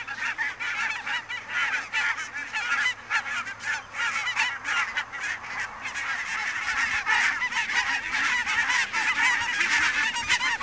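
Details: A flock of barnacle geese calling in fog at Niittylahti, Savonlinna, 2 October 2011. Dense, overlapping chorus of barking yelps, continuous and restless, growing slightly fuller in the second half.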